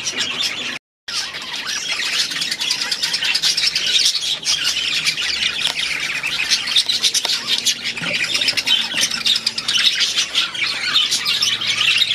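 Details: A large group of budgies in their aviary produces an unbroken, scratchy chattering chorus of squawks and warbles after a short silent break near the start.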